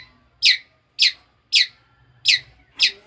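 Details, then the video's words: Long-tailed shrike youngster kept since a chick, starting to sing: five rasping notes that fall in pitch, spaced roughly half a second apart with slightly uneven timing, against a quiet low hum. "berapa bulan yng lalu dapat anakan burung cendet,,sekarang dah molai berkicau"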